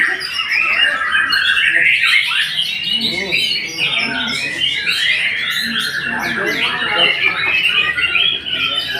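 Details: Long, energetic white-rumped shama song of tumbling whistled notes and rough chattering runs, dense and almost without pauses.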